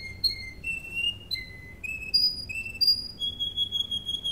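A Russian canary sings a series of clear, flute-like whistled notes, each held briefly and shifting between higher and lower pitches. The background is quiet.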